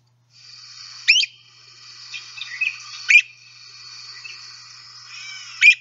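Great Crested Flycatcher giving loud, sharply rising "weep" calls, three in about six seconds, with softer chatter between; other birds sing high in the background.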